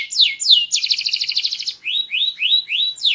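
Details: Loud, varied song of a small-bodied canary: two sharp downslurred notes, a rich buzzy rattle, then a string of quick rising whistled notes about four per second.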